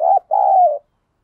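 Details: Spotted dove used as a decoy to goad wild birds into fighting: one loud, low, husky coo phrase, a brief first note followed by a longer, level, slightly falling second note.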